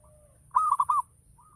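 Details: Local zebra dove song meant to trigger answering birds; a single burst of four bubbling coos lasting half a second, with a softer distant coo before and after.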